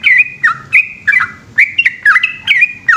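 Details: At night a yellow-vented bulbul sings its long, unbroken ropel song, a busy stream of chirpy, downslurred notes tumbling in quick succession, about three phrases per second, loud and clear.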